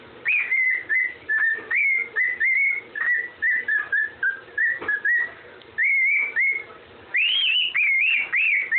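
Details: Pet parrot whistling the Andy Griffin tune: a run of clear, pure whistled notes near the same pitch, some sliding up or down, in quick phrases with short pauses, ending on higher rising notes. Faint room noise underneath.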